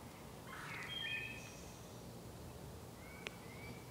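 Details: Faint wood thrush song in a sacred grove: one fluty whistled phrase followed by a thin high trill, then a single soft whistled note after a sharp click, with low background hiss.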